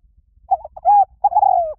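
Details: Spotted dove: a few clipped soft notes lead into a strong drawn coo and then a long, gently falling coo, mellow and clear against a faint low hum.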